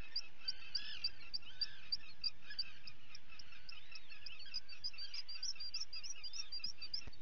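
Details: At a guillemot colony on 28 June 2020, chicks being fed give repeated sharp, high peeps while adults add arched, wavering calls and a soft background roar.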